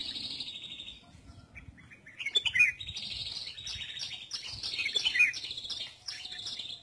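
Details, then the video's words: Red-whiskered bulbul sunbathing, heard as rich warbled whistled phrases at about two and a half and five seconds, set against a steady high ringing chorus of other birdsong. "Phơi Nắng Chim Chào Mào ,Tắm Nắng"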